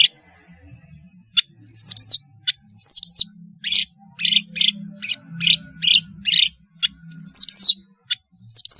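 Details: Long-tailed shrike song meant to teach juvenile birds: spaced, piercing downward-sweeping whistles and short scratchy notes, roughly two per second, over a faint low rumble.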